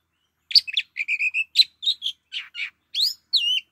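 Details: Oriental magpie-robin singing a varied run of short, clear whistled notes. Some are steady and some slur up or down, grouped in quick bursts, and the phrase ends with rising and falling sweeps. The background is otherwise quiet.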